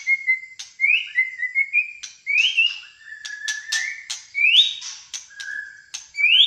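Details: White-rumped shama of Malaysia in gacor fighter song, giving short rising whistled swoops and level notes punctuated by crisp clicks, phrases recurring roughly every second.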